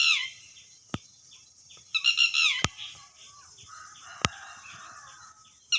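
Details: Red-wattled lapwing giving two loud, harsh, shrill bursts of rapid notes that slide downward, one at the start and one after two seconds, with sharp clicks and knocks in between over a quiet background.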